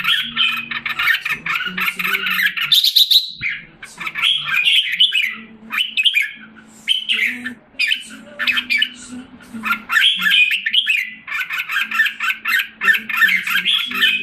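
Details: Red-whiskered bulbul kept in a cage in Singapore, July 2017, recovering after losing form. A long, busy stream of jumbled chirps and warbles comes in bursts with brief gaps, over a steady low background hum.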